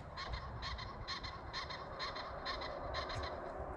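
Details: Wild common pheasants, flying nearby outdoors beside an aviary under construction, giving a run of harsh, raspy cackling notes, about two per second, over low rumbling wind and outdoor background noise.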